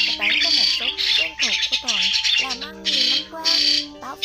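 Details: Migrating starlings, white-headed type, in a trapping lure: dense chatter of bent, wavering nasal notes beneath harsh rasping squawks, with a faint steady tone throughout.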